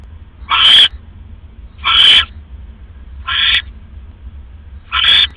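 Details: At 3:40 AM on October 5, 2015, an owl at its nest after a rat delivery gives four rasping, hoarse screeches roughly every 1.5 seconds, the third slightly weaker.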